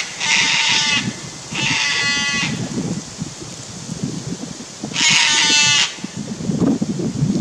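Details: Sulphur-crested cockatoo pair on Queensland's Fraser Coast, Australia, agitated by a Lace Monitor near their nesting tree: three loud, grating screeches, two close together and one later, over a low rumbling background.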